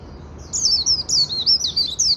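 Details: Short afternoon burst of Japanese white-eye líu song, a quick high-pitched string of sweet, chirping, warbled notes running for about a second and a half.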